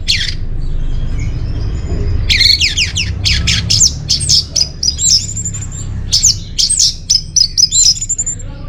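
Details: Orange-headed thrush song used as a lure and master song for caged birds: rapid bursts of sharp, high whistled and buzzy notes, then clipped repeated whistles in quick groups, over a steady low hum.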